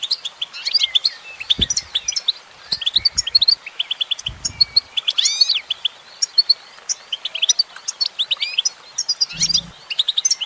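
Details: Female goldfinch pouring out a long twittering song: rapid tinkling chirps, a sweeping burst of sliding notes in the middle, then more clipped tweets, with occasional low knocks behind.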